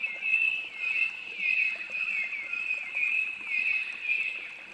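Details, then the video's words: Noisy miner, an Australian bird, captured in ambisonic surround sound: a lively run of harsh, chattering notes repeated almost continuously, rising and falling in bursts about once a second, with faint background hiss. "Noisy miner | Australian birds"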